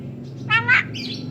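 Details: Pet Javan myna, a tame bird said to talk and cough, delivers two quick loud rasping bursts followed by a thin squeaky note, above a steady low background hum.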